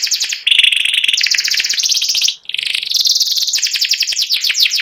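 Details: White panda canary singing ngeriwik, dense uninterrupted high trills with a brief dip in the middle, then resuming in rapid rattling rolls.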